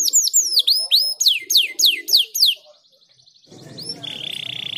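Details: Canary song: a series of loud, sharply descending whistled swoops repeated about four per second, then a soft fast rattle, ending in a steady buzzy trill over low background noise.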